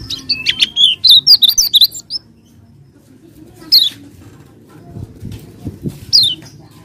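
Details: Common iora lure meant to make lazy birds sing: a fast string of loud, choppy, warbling whistles, then silence broken by two single sharp down-slurred notes.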